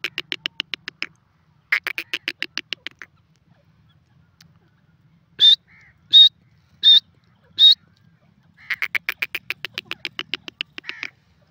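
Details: Francolin calling: rapid buzzy rattling pulse trains in bursts, then four short, sharp, high whistled notes evenly spaced about a second apart, followed by another rattling burst.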